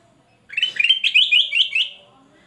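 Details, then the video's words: Male golden-fronted leafbird in full, loud song: a quick run of about seven bright, rising warbled notes strung together over roughly one and a half seconds, clear against a quiet background. "Kutilang Emas Gacor Sang guru vokal volume keras"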